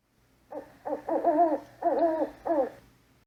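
A Eurasian eagle-owl gives five rich, wavering hoots in quick succession, each rising then falling, against a quiet background.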